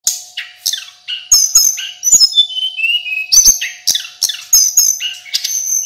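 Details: Energetic song of a male local mountain sulingan, recorded to train other songbirds: high clear whistles alternating with buzzy falling notes and snappy clicks in quick succession, backed by a faint electrical-sounding hum.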